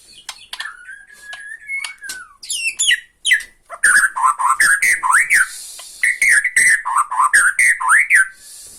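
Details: Bornean white-rumped shama giving ketrekan, a rattling song used to provoke and anger another shama: dry clicks and rattles, then rhythmic, repeated slurred whistles that rise and fall, given several times a second.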